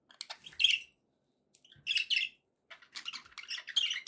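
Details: Budgerigar chattering in three bursts of rasping, squeaky chirps, the last one longest and densest.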